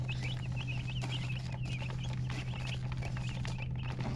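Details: Chicken chicks near a hen, giving rapid high thin chirps, short bent whistled notes tumbling several per second in bursts, over a steady low electrical hum and background rumble.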